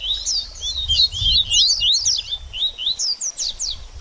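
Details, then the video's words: Baderninha song of a double-collared seedeater for stimulating a bird after moult: quick, tumbling sequence of sharply swept high chirps and trills, over a soft low rumble. "BADERNINHA DE COLEIRO Top Pra Esquentar Seu Coleiro Pós Muda De Penas!!!"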